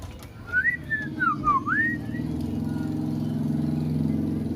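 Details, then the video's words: Caged sooty-headed bulbul, long kept beside an oriental magpie-robin and often answering it, singing in copied magpie-robin style: a run of clear whistled notes sliding up and down, with a dip and a rising final whistle over a steady engine hum. "Burung kutilang isian kacer"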